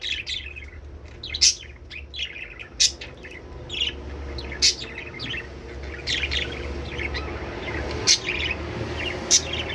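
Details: Budgies heard to encourage mating: steady high twittering chatter throughout, punctuated by sharp clicking chirps about every one to two seconds, over a low hum.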